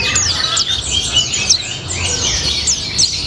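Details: Pleci (white-eye) song in the "gacor ngalas" style: thin, fast, twittering notes with downward slurs and brief sharp chirps. It flows without a break at even loudness, with a muted low hum behind.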